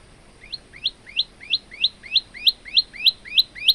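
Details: Male olive-backed tailorbird singing actively, recorded for training other birds: about ten loud, sweeping upslurred whistled chirps repeated roughly three times a second after a short quiet start, the notes growing stronger.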